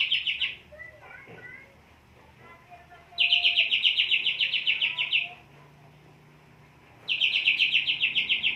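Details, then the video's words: Caged greater green leafbird in strong breeding condition giving rapid trilled song phrases of repeated bright chirps, three bursts about two seconds long separated by quieter gaps with soft lower twittering notes. "Di Krodong gacor. Di ablak tidak bunyi. (Birahi tinggi, emosi rendah)"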